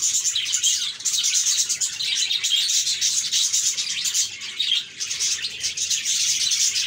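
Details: Budgies happily chirping: a continuous, dense layer of high warbles and chatter with short dips in volume.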